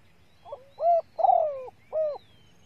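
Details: One full coo phrase of a female spotted dove used to excite males: a quiet lead-in, a rounded coo, a longer wavering descending coo, and a final rounded coo, over low background hum.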